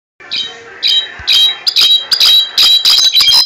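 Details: Captive cabresto-type European goldfinch from Quiroga, Michoacán, singing on a bed: a rapid run of bright, tinkling twitters and buzzy trills, phrases tumbling out in quick bursts, with slight background noise.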